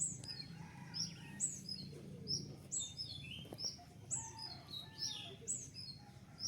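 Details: Captive male Javan white-eye, newly caught and being tamed as it learns sounds, gives a lively run of high, thin chirps and brief twittering notes, repeated irregularly about once a second, over low background hum.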